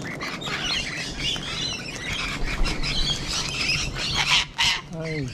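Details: Cockatoos calling in Sydney, Australia, among Rainbow Lorikeets: a steady wash of rasping squawks and chatter, two louder harsh screeches near the end, and a low hum underneath.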